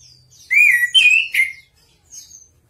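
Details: Chestnut-capped thrush singing vigorously: after a short faint note, three loud clear whistled phrases near the middle pitch, slurred and slightly wavering, then a soft high trill at the end.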